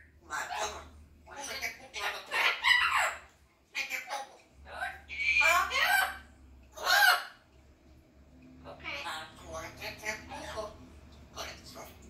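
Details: Talking red-tailed African grey parrot, a 20-month-old pet, delivering a long run of speech-like phrases, some with squeaky whistled inflections and harsh clucking syllables, over a steady low hum indoors.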